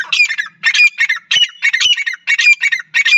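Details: Female francolin calling: harsh, squawking bursts in rapid clusters, repeated roughly every half second, each made of scratchy grating notes.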